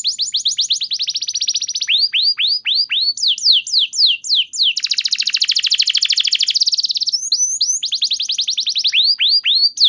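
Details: Canary song meant to make other canaries answer and sing: rolling trills, runs of downward-sliding whistles, and a long dense buzzing trill in the middle, continuous and loud throughout.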